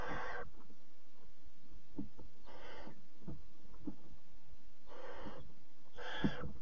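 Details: Barn owl nest in the small hours of 26 July 2017, mother bringing a bird as prey to the fourth chick; four breathy screeching hisses at irregular intervals over several seconds, with light scratching between them.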